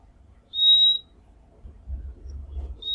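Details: Purple-throated Euphonia, known locally as fim-fim, in the Brazilian Cerrado: one thin, high, pure whistled note lasting about half a second, then the start of another at the end, over faint low background rumble.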